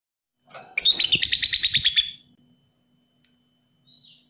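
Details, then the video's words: Lovebird of the 'paud' type, recorded as a stimulus to rouse lazy, quiet lovebirds into excited singing; a shrill, rapid trill of about a dozen evenly spaced high notes lasting over a second, followed by a brief faint chirp after a pause. "PANCINGAN LOVEBIRD PAUD EMOSI"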